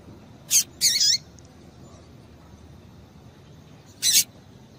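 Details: Female double-collared seedeater calling to excite males: sharp, high chirps, two close together near the start and a third about three seconds later, over a quiet background.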